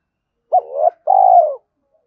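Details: Spotted dove used as a decoy, giving one calling phrase: a clipped opening coo that slides upward, a pause, then a drawn-out, throbbing, gently descending coo with a clean ending and nothing else audible.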